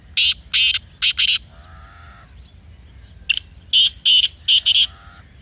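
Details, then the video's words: Black francolin voice used to excite a kept bird to call: a run of four harsh rasping bursts, a brief pause with a softer tonal note, then a second rapid series of five grating bursts. "Black Teetar Voice"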